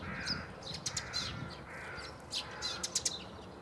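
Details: Eurasian tree sparrow at Bundek, Zagreb, Croatia, recorded 9 March 2015: sharp, buzzy chirps scattered through the clip, with a steady lower whistled tone running behind them and light background hum.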